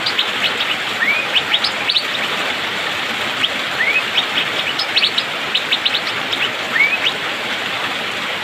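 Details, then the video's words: Rainy-season song of an Asian fairy-bluebird (cucak biru, pikpik), rapid and full: many bright chirps mixed with a few smooth rising whistled slurs, nearly continuous, over a bed of rain noise. "Cucak biru/pikpik,musim hujan auto gacor speed rapat"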